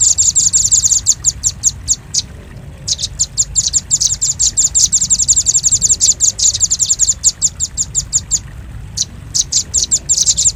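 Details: Velvet-fronted nuthatch on a luring track: loud rapid trills of sharp high chips, interrupted by brief pauses, then restarting in dense, fast runs.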